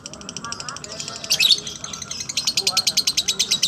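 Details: Lovebird in slow ngekek: irregular high chirps and a harsh squeal near the start, then a neat run of evenly spaced high pulsed notes, with faint speech underneath.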